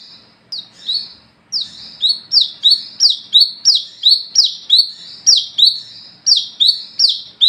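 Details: Night-time song of an olive-backed sunbird, locally wiceh, in gacor ngalas ngeplong style, used as a lure to draw and train others: a fast, insistent run of piercing, high, downward-sliding notes, nearly three each second.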